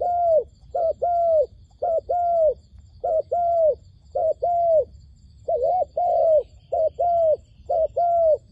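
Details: Lure dove calling wild doves toward a trap, giving a steady series of short-long coo pairs. The notes are smooth and arched, with brief gaps between pairs and soft low background noise.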